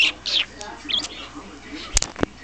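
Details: A pet parakeet in Kalihi, Honolulu, Hawaii, that says "I love you", gives quick, high, chattering chirps in two short bursts, followed by a couple of sharp clicks, while a person's voice coaxes it to talk.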